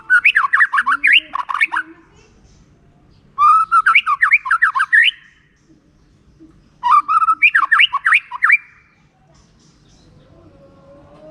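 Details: White-rumped shama song used as a lure for lazy shamas: three vigorous phrases of rapid melodic whistles and trills rising and falling, each about two seconds long, with brief silences between.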